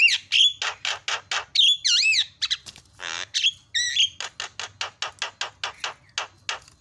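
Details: Javan myna (jalak kebo) singing fast to set other mynas singing: rapid harsh chatter notes, wavering whistled glides and a hoarse rasp, ending in a quick regular series of sharp clicks.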